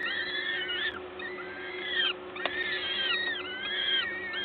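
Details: Peregrine falcon nest in Gdańsk, Poland, 14 May 2022, during feeding by a parent. Drawn-out, bowed whining calls in quick succession, some overlapping, with a faint click and constant low droning hum beneath.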